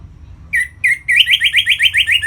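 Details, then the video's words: Orange-headed thrush in captivity, 'ngeplong' song for stimulating birds to breed. Two drawn-out whistles, then a fast run of about nine identical chirping notes repeated several times a second. "Suara Ngeplong ANIS MERAH Gacor Memancing Burung Agar Birahi dan Lanjut ke Tahap Teler"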